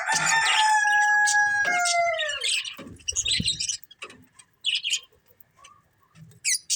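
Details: Budgerigar breeding pair calling: a long clear whistled note that steps down and slides lower over two seconds, followed by rapid scratchy chirps and short buzzy bursts with gaps between them.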